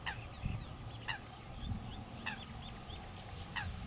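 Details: A female common pochard watchfully guarding her feeding ducklings gives short, harsh nasal calls about once a second, over low rumbling background noise and a thin high whine.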